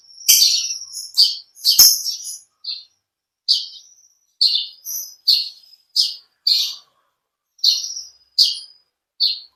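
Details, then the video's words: Olive-backed sunbird, or kolibri ninja, in energetic song: a rapid cluster of piercing, high twittering notes, then a steady series of short sharp chirps spaced roughly half a second apart. "Original sound konin kolibri ninja suara lb ngekek panjang gacor"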